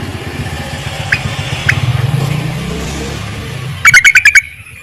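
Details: Yellow-vented bulbul calling to males, a sound used as a lure: a single short burst of rapid, harsh chattering notes near the end, after a stretch of low rumbling background noise.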